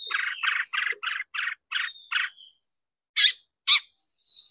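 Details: Long-tailed shrike on a lure track used to provoke singing: a string of rasping, buzzy chattering notes, then a pause and two loud, sharp, high squeaks.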